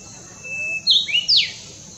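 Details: In the Himalayas in summer, a Brownish-flanked bush warbler sings a thin, drawn-out whistle, then a sharp, explosive phrase of quick high sweeps. A faint background hiss runs underneath.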